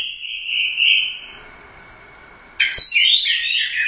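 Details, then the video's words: Orange-headed thrush competition bird, a first-place winner, giving a long sustained whistled note, a quiet pause, then a sudden burst of high, rapidly twisting notes. "Suara Burung Anis Merah | GACOR Teler Doyong Juara I Royal Cup"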